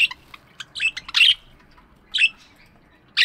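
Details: Budgies chirping in an aviary in the morning: bright, scratchy chirps in short bursts, some clustered rapidly, with brief gaps between calls; otherwise quiet.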